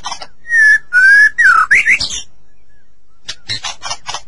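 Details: Clear whistled phrases of a White-rumped shama in a master recording used to coax captive shamas to sing: long smooth level and rising whistles, a brief pause, then soft clipped notes.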